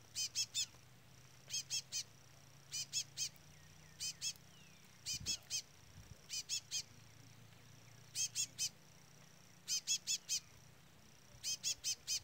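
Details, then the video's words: Chestnut-bellied seed finch chick calling constantly near a brown adult. High, pure, clipped peeps in quick sets of two to four recur steadily through the recording, with low hum and a brief thump. "Curió Pardo cantoria Trola / Curió Pardo Trolinha"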